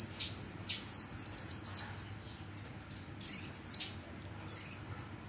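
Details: A hummingbird gives a fast series of very high, thin chirps, each sliding downward, in a string lasting nearly two seconds, then a pause followed by two shorter bursts of similar squeaky notes.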